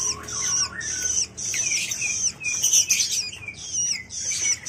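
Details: A young long-tailed shrike, recorded in the morning. It gives harsh, raspy, high-pitched calls in bursts of about half a second, repeated almost without pause, with thin downslurred squeaks between them.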